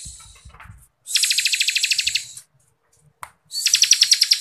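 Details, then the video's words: Bar-winged Prinia, called ciblek kristal, giving a dense ngebren song meant for training contest birds: two loud, fast pulsed buzzy trills of about a second each, with a faint hiss and a short gap between them. "CIBLEK KRISTAL GACORRRR FULL NGEBREN RAPAT"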